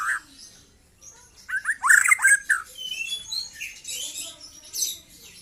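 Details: Trotol singing of a young white-rumped shama: a rapid cluster of chirpy, slurred whistles in the middle, followed by softer, higher twittering and thin squeaks.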